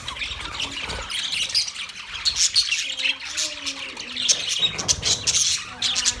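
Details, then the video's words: Budgie parakeets from Australia chattering in a steady twittering chorus, with soft whistled tones threading below the bright chirps. "Budgies Parakeet Birds Chirping sounds Big sound of Australian Budgies parrot"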